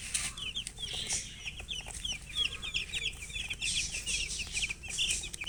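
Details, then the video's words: Young chicks calling out of thirst for drinking water: a dense, continuous chorus of shrill, high, falling peeps from several birds, rapid and overlapping throughout. "Murgi chicks Chirping sounds with thirst for drink water"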